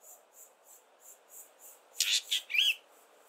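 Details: A fork-tailed drongo sings its usual song: a brief burst of harsh, metallic notes ending in a twangy upslurred whistle, over a steady high insect-like pulsing about three times a second.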